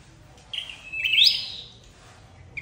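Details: Single flowerpecker phrase used as a trapping lure: a high flat note that swells into a bright rising upsweep, then fades, in near silence.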